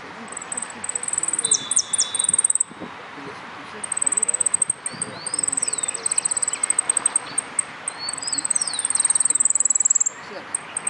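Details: Full-yellow saffron finch singing in the Nuevo Irupe song contest, 22 September 2013: high, rapid, buzzy trills and chipping phrases in long repeated bursts, with sharp down-slurred notes between them, over a faint background hum.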